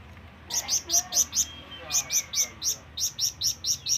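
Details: Flamboyan bird calling to companions or rivals with long drawn-out phrases: series of short high chirps repeated about four per second in two bursts, with faint lower whistled tones beneath.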